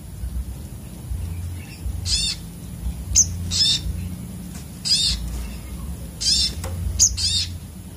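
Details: Sogok otong sunbird repeating short, buzzy, high-pitched trilled bursts roughly every one to one and a half seconds, interspersed with single sharp chips, over a faint low hum.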